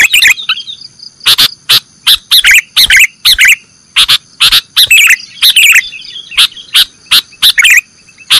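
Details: Sooty-headed bulbul, nggaruda song style, for training cage birds: dense repeated chirps and warbled notes mixed with frequent loud clicks, a constant high electronic whine beneath.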